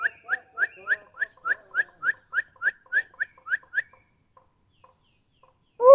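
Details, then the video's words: Bird song in a forest: a rapid run of about fourteen short whistled notes repeated several times per second, fading into sparse faint ticks, then a sudden loud tone at the end. "Relaxing Birds Sounds at Forest"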